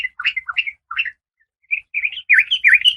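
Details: An oriental magpie-robin female in breeding condition calls to the male with a quick series of short, varied, slurred chirps, some rising and some falling. The notes grow louder and more buzzy toward the end.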